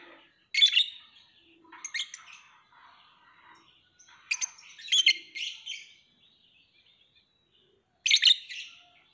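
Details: Lovebird chirping in irregular bursts: strident high notes, some doubled or tripled, mixed with softer chattering twitters, then a final loud sharp chirp after a pause.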